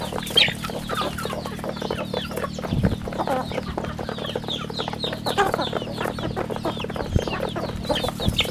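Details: Many chicks on a rural farm peep constantly. The high, falling cheeps overlap in a dense, busy chorus, with a low hum running steadily underneath.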